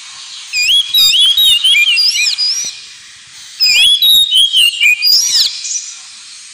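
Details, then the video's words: Ngemplong song of the Oriental magpie-robin (kacer), used to encourage pet birds: two phrases of varied looping whistles and trills separated by a pause of about a second. "KACER NGEMPLONG TERAPI"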